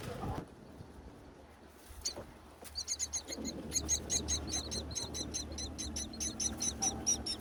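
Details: Myna chicks calling from their nest on a tall palm while the mother brings food, wild bird nesting season; after a few quiet seconds with a couple of knocks, a fast run of thin, high, raspy cheeps builds and continues.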